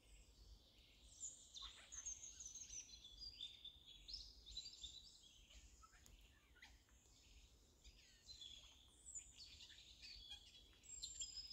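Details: A Eurasian jay's playful singing, said to sound like a laughing child, with a long run of high twittering, squeaky and clicking notes in irregular clusters, backed by a constant low hum.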